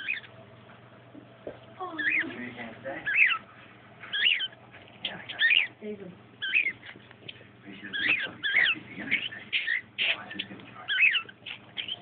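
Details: A pet budgerigar showing a dog who is in charge chatters in quick, scratchy warbles and chirps, with a low human voice in the background.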